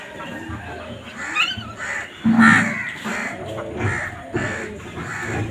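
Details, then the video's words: Crows fighting for food: a series of hoarse, grating caws, one especially loud and drawn out midway, repeated roughly every second amid a noisy, crowded background. "Crow Bird Crowing Sound"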